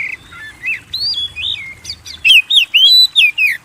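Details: Lure song of a lively oriental magpie-robin (kacer) for kept birds: soft varied whistles at first, then a loud run of five or six slurred, swooping notes.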